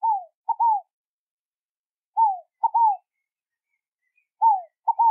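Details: Scaled dove song: mellow hooted phrases, each a descending coo followed by a short staccato note and a longer falling coo, given three times roughly every two seconds in quiet surroundings.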